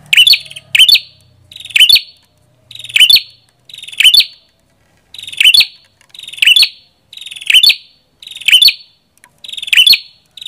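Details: Prenjak kepala merah giving ten rapid, emphatic phrases roughly one per second. Each one pairs a buzzy, rattling lead-in with piercing high chips. A short pause breaks the series midway, and the background is otherwise clean.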